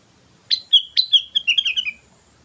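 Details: Lively sooty-headed bulbul singing for a lure recording: a quick phrase of about eight bubbly whistled notes stepping downward in pitch, delivered in under one and a half seconds.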